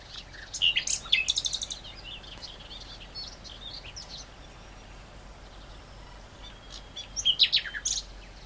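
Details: Great reed warbler song in two bursts of rapid, grating, stuttered notes separated by a quieter pause, over steady environmental noise.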